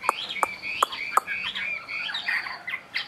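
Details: Caged Chinese hwamei, about a year in the cage, gives soft warbled notes while four loud sharp knocks sound in the first second, followed by quieter whistles.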